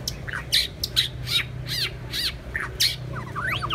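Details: White-rumped shama, one of two birds, giving a series of harsh, scratchy squawking notes about every half second, each a sweeping buzzy chevron, above a constant low hum.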